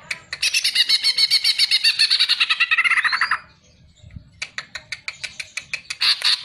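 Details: Greater green leafbird song from a tutor recording for songbird keepers: a loud, dense run of rapid chattering notes ending in a rising whistle, a short pause, then evenly spaced sharp clicking chips.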